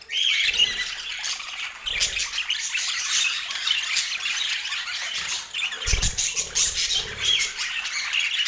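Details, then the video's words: Pet budgerigars feeding on apple chatter in a softer, rolling mix of high scratchy warbles and chirps, with a few low thumps. "Relaxing Budgie Sounds"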